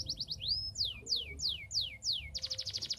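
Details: Canary in vigorous song, played to encourage reluctant canaries to start singing: a few quick high notes, a rising whistle, then a run of five loud descending slurred whistles ending in a rapid buzzy trill.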